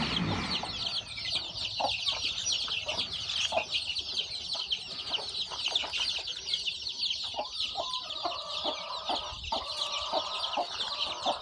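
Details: Chicks hatching from eggs under a hen on a farm; a dense, continuous chorus of high thin peeps, with faint short clucks and knocking noises toward the end.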